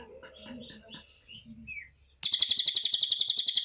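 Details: Cililin in a training recording for songbirds: faint whistled chirps, then a sudden loud, harsh, fast-pulsed trill of steady repeated notes lasting over a second.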